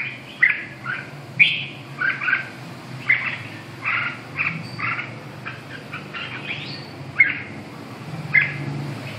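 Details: Red-whiskered bulbul singing a steady run of brief, chirpy, warbling phrases, roughly one every second, some with sharp bright peaks, against a low background rumble.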